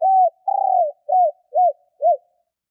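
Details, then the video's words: Female decoy spotted dove calling to attract males: a smooth coo, then a longer rolling purred coo, followed by three evenly spaced hollow arched coos, with nothing else in the background. "Chim cu gáy mái kích bổi/Cu gáy mái / Tiếng cu gáy mái"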